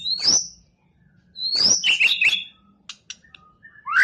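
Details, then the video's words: Champion white-rumped shama, a competition bird, gives a loud upslurred whistle, a pause, then a second high whistle followed by quick rich warbled notes and faint scattered chirps. "MURAI BATU JUARA. Kumpulan Tembakan Murai Batu juara"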